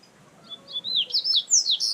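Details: Double-collared seedeater singing in the wild, a quick sequence of high, slurred whistles climbing and dipping, building in volume over under two seconds against a soft hiss.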